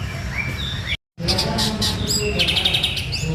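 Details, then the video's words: White-rumped shama in full song: a smooth whistled phrase, a short gap, then bright high chirps and a fast run of repeated ringing notes, over a low hum. "Murai Gacor MB Baron"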